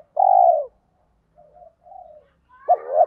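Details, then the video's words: Lure spotted dove in thổ style with rapid sewing-machine-like cooing, used to make wild males coo back: one long mellow coo, faint soft murmurs, then a pair of hollow coos. "chim cu gáy mồi giọng thổ pha thúc gù như máy khâu, bổi nghe ức chế gáy theo, mở là gáy"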